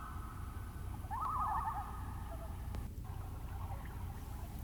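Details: On a misty morning over a boreal taiga marsh, a common loon gives a brief, quavering, mid-pitched wailing note that wavers up and down, over a steady low rumble of wind and one sharp knock.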